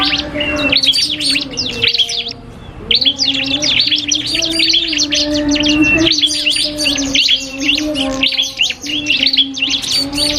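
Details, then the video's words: Cipoh kristal (common iora) dueling a prinia as training song: a brief pause, then sustained rapid chirping and rising whistles running to the end, with a steady low hum. "FULL DUEL SUARA Cibelk kristal VS prenjak"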